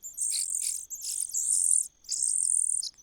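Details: Cuckoo chick begging in a host bird's nest: three loud, high, rasping hiss-like bursts, each roughly half a second to a second long, separated by brief silences.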